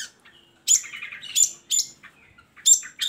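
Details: Long-tailed shrike singing, played to prompt reluctant shrikes to sing: sharp high chattering bursts separated by short pauses, mixed with a few softer whistled notes and quiet gaps.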